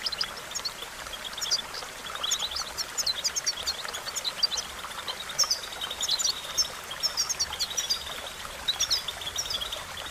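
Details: Goldfinch training song: dense bursts of bright, metallic twittering notes come in clusters, fading and returning over ten seconds, with a constant buzzy hiss underneath.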